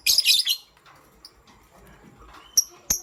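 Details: Morning chirping from a pastel gray pet lovebird: a rough, high chirping burst at the start, then near silence broken by two brief sharp chirps.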